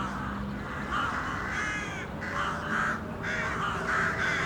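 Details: Crows calling in the city, rough caws of varied length, some lone and some clustered, several birds overlapping, with a faint low hum of traffic.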